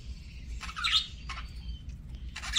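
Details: A parakeet at mealtime utters a few scattered scratchy squawks and one buzzy rising chirp, with brief gaps between notes and a soft low background hum.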